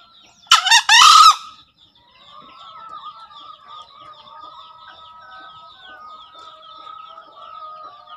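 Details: Green junglefowl delivering one sharp, hoarse two-note crow near the start, followed by a long stretch of quiet high chirps and warbling from other birds; master sound meant to stimulate newly caught or lazy birds to call.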